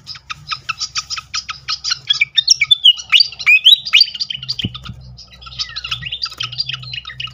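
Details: Flycatcher lure song for triggering birds to sing: a steady rapid series of sharp chips, then twisting whistled phrases, a knock, and further chattering over a low hum.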